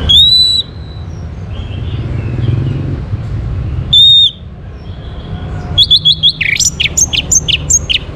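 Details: Orange-headed thrush, North Bali near Singaraja, song used to draw other birds into singing: a few isolated high whistled notes separated by pauses, then a rapid run of varied sharp chirps and trills, with low traffic-like hum behind.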